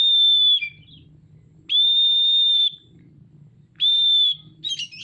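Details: Oriental magpie-robin singing energetically while fanning its tail: long, pure, level whistles, each lasting under a second and repeated about every two seconds, with brief twittering notes after them and faint low rumbling in the background.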